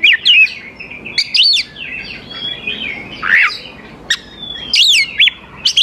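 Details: Oriental magpie-robin song used to bait young wild birds into replying: sharp upslurred whistles and zigzag notes in spaced bursts, with fainter chirps filling the gaps.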